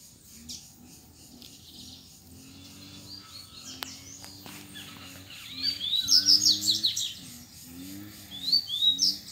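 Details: Wild double-collared seedeaters singing against rivals: a rapid high twittering phrase in the second half over low steady humming tones and background noise.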